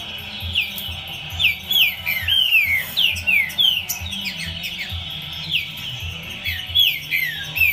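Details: Green-winged saltator song, many bright whistled notes sliding downward in rapid runs, phrases repeating with short pauses, set against a constant high hiss and a low droning hum.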